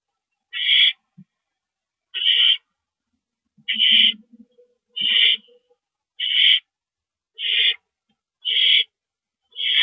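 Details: Owl heard during a rodent delivery, 28 March 2012, 9:01 PM. Eight rasping, hissy screeches come at a steady pace, roughly one every second, with faint soft lower notes and shuffling between.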